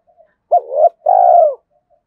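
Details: A single decoy spotted dove phrase meant to lure wild doves: a sharp rising note sliding into a soft wavering coo, then a long, steady, gently falling purr.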